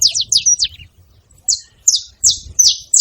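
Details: Saffron finch calling in a tree, a quick burst of high falling chirps, a second of quiet, then spaced louder buzzy downslurs.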